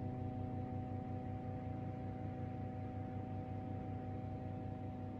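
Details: A steady low electrical hum with constant tonal bands, like an appliance or engine running indoors; no animal voices are heard.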